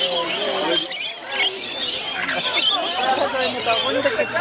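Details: A wild flock of rainbow lorikeets being hand-fed at Currumbin Wildlife Sanctuary gives a constant run of shrill, screechy chattering calls, with people's voices talking underneath.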